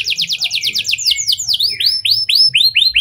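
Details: Canary in continuous lovebird and prenjak style song, played as a lure for other canaries: a very fast pulsed high trill slowing into a series of loud arched, swooping slurred notes.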